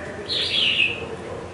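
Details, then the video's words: Caged red-whiskered bulbul, a young bird in part-moulted plumage kept five months in a cage, with a large build and big throat, gives one short warbled phrase that slides down through bright whistled notes over a soft background hiss. "Chào mào mộc dở"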